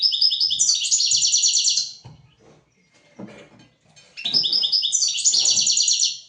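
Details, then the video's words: European goldfinch song from a tutor recording meant for teaching goldfinches and canaries: two bright, high, rapid twittering phrases of repeated chirpy notes, each about two seconds, separated by a pause holding faint low knocks. "تغريد طائر الحسون حفاضة لتعليم طيور الحسون والكناري"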